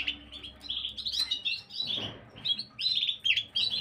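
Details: Gloster canary singing, recorded 9 January 2023: quick bright chirps and short warbled trills in high, tight bursts, broken by brief pauses, with a faint soft rustle in the background.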